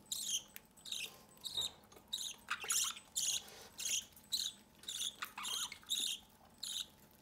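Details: Captive budgerigar chick begging as its parents feed it from the nest door: a steady run of harsh, hissing, raspy bursts, close to two per second, keeps going throughout.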